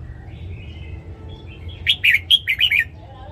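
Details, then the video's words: Soft thin whistles lead into a quick phrase of six bright, bouncing warbled notes from a caged red-whiskered bulbul's morning song. "Luyện giọng chào mào hót sáng"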